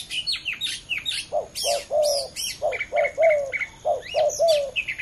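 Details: Spotted dove, two males competing: low coos in short groups mixed with loud high chirps and whistles of other birds, plus a repeated mid-pitched note from another caller.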